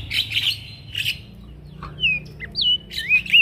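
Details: Male prinia in full song, used as a teaching recording for other birds: harsh buzzy bursts, a pause, then several sweeping, slurred whistles close together.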